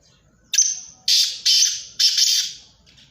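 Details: Black francolin, one of three birds calling, gives four loud, harsh, grating notes, each about half a second long, in a quick, uneven series.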